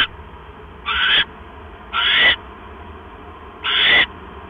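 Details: Owl nest at 9:40 PM on October 12, 2015, mouse brought in; three breathy, rough screech-hisses at uneven spacing of one to two seconds, with a faint low hum between.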